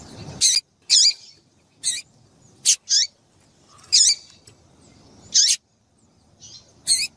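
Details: Female double-collared seedeater call used to excite males: high, sharp chirps with a trailing downward tail, about eight notes in seven seconds at uneven intervals, some clipped and abrupt, over quiet background.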